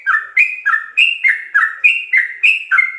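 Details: Sooty-headed bulbul song in 'ropel' style with full fill-ins, used to tutor captive birds: about nine quick chirps in three seconds, alternating lower and higher whistled notes, clean with no background noise.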